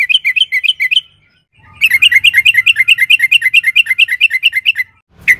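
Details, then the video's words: Sooty-headed bulbul (trucukan) in the long rolling 'ropel panjang narung' style, played as a lure for other bulbuls. A short burst of bright chirps, a pause, a fast even run of over twenty paired chirps, then one sharp closing note. "pancingan trucukan gacor ROPEL PANJANG NARUNG AMPUH"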